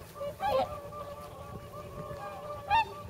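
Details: A whooper swan at a pond in Nagamine, Nishiyama, shortly before the northward migration, among nearly 300 swans, gives two loud, brassy trumpeting honks about two seconds apart over a low murmur of distant swans.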